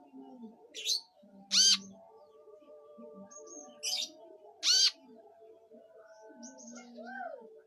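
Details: Van Hasselt's sunbird (identified as Leptocoma sperata), a bird used as a song tutor for its distinctive sharp notes, gives sharp, high chirping bursts in pairs about every three seconds over faint lower humming tones.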